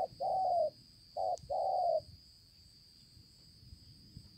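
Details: Wild-caught spotted dove ('bổi') with a spotted neck, Konlong, 5 September 2020. It gives two low hollow coo phrases, each a short note followed by a longer one, then falls quiet over a steady high whine.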